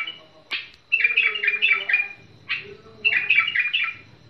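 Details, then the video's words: Tamed bulbul delivering a few quick warbled bursts of bubbling notes separated by short gaps, opened by a sharp click, over a low background rumble. "بلبل المطوعة فريزر"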